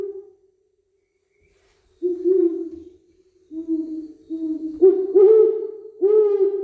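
Great Horned Owl giving a series of five or six deep, soft hoots, unevenly spaced and slightly louder toward the end.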